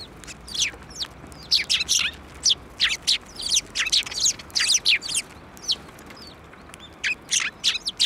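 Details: Sparrows arriving on an outstretched hand for food at a Tenmangu shrine on 15 March 2024, giving steady, quick, sharp chirps, one after another across the whole clip.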